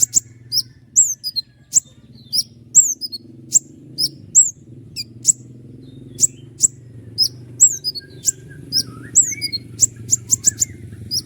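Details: Long roll of sharp 'shots' from a common iora in full song, used as master training for other songbirds: a steady stream of very high, sharp downslurred notes and clicks, with a low hum throughout.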